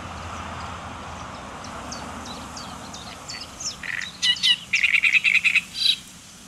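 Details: Great reed warbler song recorded in the Netherlands: soft ticking notes build into loud, harsh, grating phrases repeated in quick bursts over a faint background hiss.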